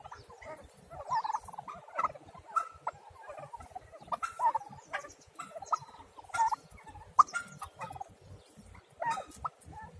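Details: Young domestic turkey chicks, several together, giving short chirping peeps that come in irregular bursts every second or so, some with a slight upward inflection, over a soft background hiss.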